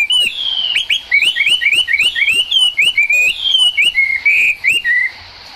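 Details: Singing Chinese hwamei during rainfall, delivering a fast run of short upslurred whistles repeated many times, then longer warbled notes and a final downslur, with rain hiss in the background.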